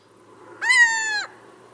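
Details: A little owl in the Ryazan region of Russia gives a single drawn-out, mewing note, clear and nasal, over half a second long and dropping slightly at the end, over a faint low background hum.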